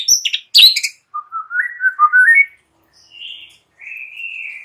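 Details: White-rumped shama song used to lure shamas in the morning: a few harsh, buzzy notes, then a wavering run of rising whistles and two long, smooth, high whistles.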